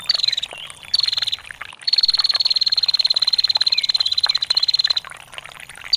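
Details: Vocal female bar-winged prinia in long ngetir: two short high ticking bursts, then a sustained rapid trill of about three seconds, over trickling water; made for training songbirds.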